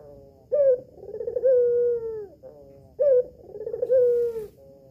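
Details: Home-kept female albino red-eyed collared dove, cooing to draw replies from males. Each phrase is a sharp rising note, then a long throaty rolling coo. The phrases come about every two and a half seconds.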